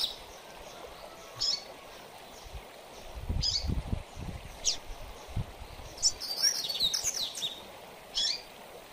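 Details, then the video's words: Double-collared seedeater giving scattered high chips and a fast, twittering mateiro-style phrase used for training, with low thumping noises in the middle of the recording. "Coleiro Mateiro - Ótimo Para Manejo de Fibra a Maioria Dos Coleiros Fica Fogoso a Escutar o Mateiro!"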